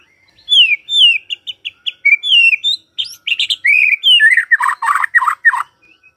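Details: White-rumped shama singing in the morning to provoke a silent bird: quick series of short whistled slurs, building into loud harsh buzzy notes near the end.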